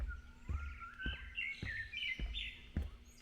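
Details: Wild birds singing during a morning walk on a forest path along the Baekyangsa road: thin whistled notes rising and falling, mixed with rapid chirping trills, over steady footsteps roughly every half second.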